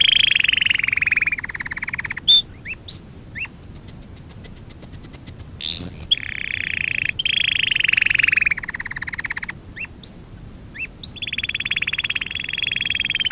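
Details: Canary song used for canary training: long rolling trills at a steady mid-high pitch, separated by short upswept whistled notes and a brief very high rapid ticking series, with the trills returning repeatedly across the phrase.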